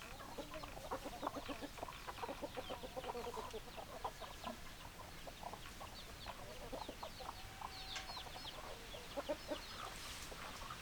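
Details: Many hens cluck together in a busy, overlapping stream of short clipped notes. A few longer, drawn-out squawks rise near eight and ten seconds, over a constant low rumble.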